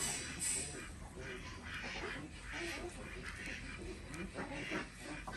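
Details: Desi ducks on a village farm in Andhra Pradesh, India, heard during morning egg collection; harsh, nasal quacks come in overlapping bursts roughly every half second across the clip, over steady farmyard background noise.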